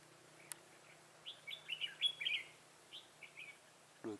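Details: Decoy red-whiskered bulbul singing aggressively to draw wild birds into a trap, 25 September 2018; a quick burst of sweet, rapidly alternating whistled notes mid-clip, followed by a few softer chirps and a low steady hum.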